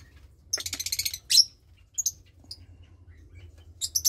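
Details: Lovebird chick of about 20 days, one of two in the nest, bred from a Parblue Turquoise and Euwing Blue Opaline pair: a rapid buzzy high chatter, a sharp squeak, scattered chirps, then renewed chatter at the end.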